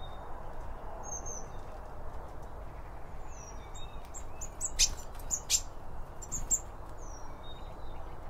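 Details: Birds at a feeder, eating and chirping, recorded binaurally with two microphones beside the bird feed; high thin chirps and short tweets scattered through, with a few sharp clicks and a low steady background rumble.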